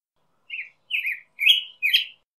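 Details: Four separate warbled phrases from a black-headed grosbeak, each a sweet, sliding whistle, growing slightly louder and fuller, separated by short pauses.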